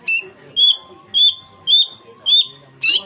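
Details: Long-tailed shrike in lively song, giving clear high whistled notes about every half second, each a short level tone with a harsher edge, over a faint steady hum.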